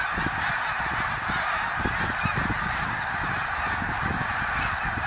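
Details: Thousands-strong sounding snow goose flock, 2014, a seamless mass of yapping honks with scattered low thumping beneath the steady chorus.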